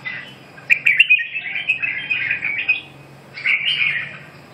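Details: Red-whiskered bulbul delivering a rich, chortling warble of slurred notes. A longer run of phrases is followed by a pause, then a second, shorter burst of song, over quiet low background hum.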